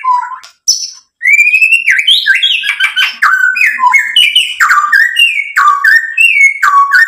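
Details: Vigorously singing white-rumped shama, a lure recording meant to stir rivals into replying: opens with a low whistle, then a dense flow of loud fluted whistles stepping up and down, mixed with buzzy notes and clicks.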